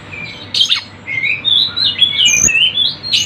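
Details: Sunda bush warbler, known locally as tledekan gunung, on a lure track with lively bird sounds: a jumble of high chirps and sliding whistles, with a sharp burst near the start and a brief low thump midway.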